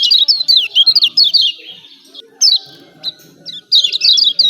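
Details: Lombok yellow white-eye 'ciak ciak' training call for birds slow to sing: a quick run of bright, high chirps falling in pitch, then sparse single notes and a renewed chattering burst at the end.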